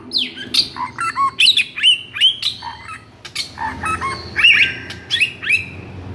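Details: Agitated white-rumped shama song meant to provoke mute shamas into singing: rapid mix of harsh squawky notes, clicks and clear slurred whistles, delivered in dense bursts with short gaps throughout.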